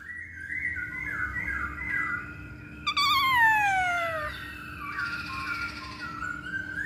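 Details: Masked laughingthrush song used as a lure for training birds: sliding whistles near one pitch, then a loud, rich note sweeping steeply downward, followed by softer wavering whistles, over a steady low hum.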